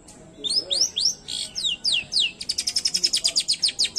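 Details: Long-tailed shrike in an original unedited recording sings high, rising whistled sweeps, then a fast even chattering trill of about eight notes a second, a song meant to provoke other shrikes into responding.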